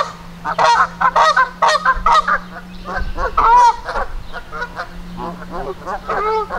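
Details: A group of agitated Canada geese in Victoria Park, Kitchener, Ontario, ready to attack a person: a dense run of loud, rapidly repeated honks, harsh and resonant, over a constant low hum.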